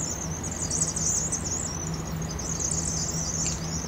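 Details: Thousands of Vaux's swifts massing in fall to roost in an Oregon university chimney in Eugene, sped 2.5 times: an unbroken band of high thin twittering, near-continuous, over a low steady hum.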